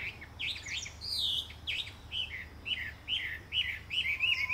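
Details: A Chinese hwamei sings a loud, varied string of clear whistles: fast warbled phrases first, then slurred, upward-swooping notes about twice a second, over a faint low hum.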